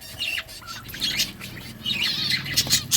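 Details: Several budgies eating green food give short high chirps and squeaky twitters in two bursts, with a soft low rumble and faint rustling underneath.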